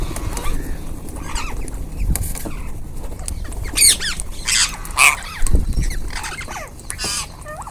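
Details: Rose-ringed parakeets eating in a group, scattered harsh squawks and short screeches with gaps between them, some louder bursts of rustling noise.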